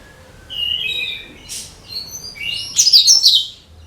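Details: Cucak kinoi (leafbird) song for luring birds. Sustained thin whistles, a brief rasp, then a loud, high, scratchy twittering flourish.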